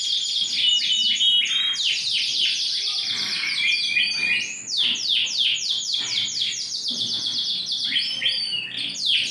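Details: Big-sized Yorkshire canary, ring 20, in full energetic song on 28 January 2021. Fast rolling trills of sharply falling high notes switch abruptly between tours, with a brief dip in loudness near the middle.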